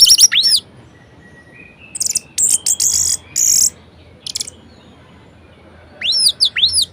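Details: Orange-headed thrush delivering a variety-rich song used to stimulate lazy birds: sharp descending whistles open and close the passage, with a soft level whistle and high buzzy, scratchy bursts between silences.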